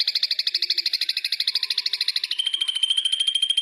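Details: Ashy drongo song from a long tutor recording for training cage birds: a rapid pulsed buzzy trill that shifts midway into a thinner, slightly higher and steadier trill.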